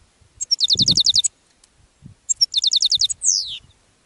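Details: Caged goldfinch calling toward wild goldfinches feeding on thistles, giving two fast runs of bright, high tinkling notes, each about a second long, ending in a downward slurred note, with soft low thumps in the background.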